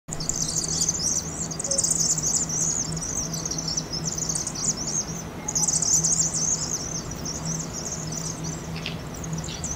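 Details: Thousands of migrating Vaux's swifts in fall, gathering to roost in a chimney on the University of Oregon campus, Eugene, Oregon, played at 2.5 times speed: dense high twittering chips in surging waves, with a steady low hum beneath.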